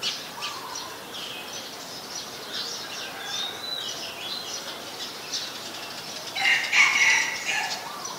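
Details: Female house sparrow, a very common resident, at Ubon Ratchathani, Thailand, on 5 February 2020. A dense burst of harsh, stacked chirps comes near the end after quieter scattered thin whistles and chips over steady background hiss.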